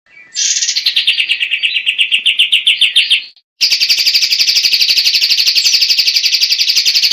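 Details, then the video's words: White-shouldered triller singing: a fast, dry trill sliding down from high to mid pitch for about three seconds, a short pause, then a denser, buzzier high trill held steadily to the end. "SUARA ASLI BURUNG KAPAS TEMBAK"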